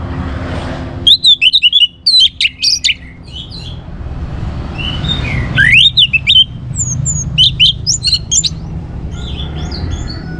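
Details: Orange-headed thrush singing loud, chattering bursts of varied whistles and sharp notes, repeated in several bouts over a constant low background rumble. Meant to stimulate other birds to sing.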